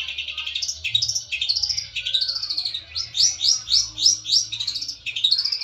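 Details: Fighter long-tailed shrike challenging a rival, used as a lure: varied high warbling phrases with arching slurred notes, then a run of five rising-falling whistled notes in quick succession; low hum behind.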